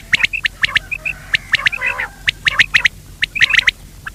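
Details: Quail (batair), male and female calling: rapid harsh clicking squawks in uneven runs, several notes per second, with scattered brief whistled dots between bursts.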